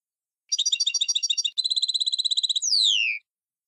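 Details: Old song of a Tunisian goldfinch in the tarqa style: a rough, rapid chattering trill gives way to a cleaner, evenly pulsed trill, ending in a loud whistle sliding steeply downward.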